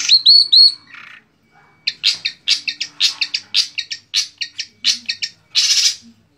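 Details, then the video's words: Long-tailed shrike kept by songbird hobbyists, 2020 contest material mimicking birds such as sparrows, canaries and lovebirds; three clear looping whistles open, followed after a pause by a choppy series of harsh, scratchy chattering phrases. "Materi Cendet / Long Tailed Shike"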